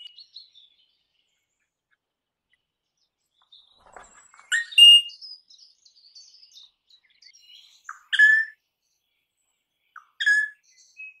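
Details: Crimson rosella calling with sparse, clear whistled notes and short bell-like phrases, loud bursts spaced a few seconds apart, with softer twittering between them and long silent gaps.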